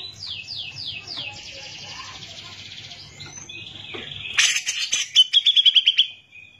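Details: Cucak jenggot, or grey-cheeked bulbul, singing as a tutor for training songbirds. A few falling whistles and a buzzy trill run into a sudden harsh burst and a quick series of sharp repeated notes.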